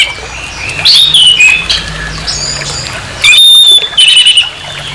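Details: Harsh orange-headed thrush song used to rile up another of its kind: high, bright whistled notes with quick slurred inflections in two loud bursts, separated by quieter scratchy warbling, low hum beneath.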